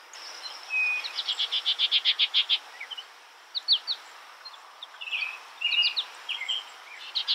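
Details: Skylark singing, starting with one thin whistle, then a quick series of repeated high chirps that speed up, followed by scattered rising and falling twittering phrases.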